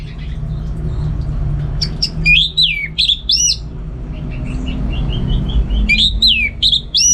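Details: Caged orange-headed thrush from Singaraja, North Bali, in full song, pouring out loud, sweeping whistles that rise and fall, mixed with short chirps and brief pauses.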